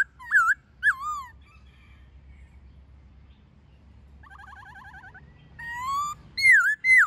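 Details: Wild-style laughingthrush song with a female, used to train captive birds: two looping whistled notes, a long pause, then a rapid warbled trill and loud swooping whistles near the end.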